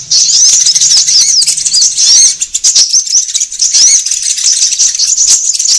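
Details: Shrill sunbird lure chirping, meant for drawing birds in, with rapid high sweeps mixed with dry rattling clicks and a soft low hum during the first two seconds.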